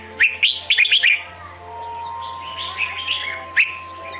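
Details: Red-whiskered bulbul competitive decoy song, used to lure birds for trapping and to stimulate singing: a quick burst of sharp, chirpy whistled notes, then softer rambling warbles and one last bright note, over a steady electrical hum.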